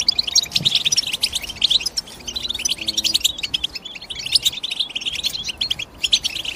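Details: European goldfinch calls: quick tinkling chirps in dense runs, easing briefly in the middle before resuming strongly, with faint low steady tones underneath.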